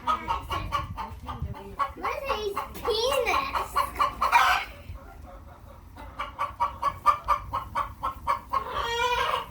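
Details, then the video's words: Chickens on a farm clucking: a steady series of short, repeated clucks, with a few drawn-out squawking notes in the middle and near the end, some human speech and low background noise. "Clucking Chickens | Chickens Making Funny Noises"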